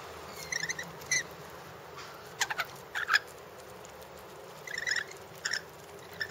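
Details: Rainbow lorikeets in a backyard give shrill, grating screeches in quick clusters of two or three notes, scattered irregularly through the clip over a faint background hiss.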